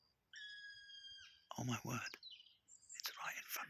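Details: A black woodpecker, possibly two birds with one perhaps a female, calls from trees near a road. It gives a drawn-out, steady, plaintive whistled note lasting about a second, followed by close, excited human speech.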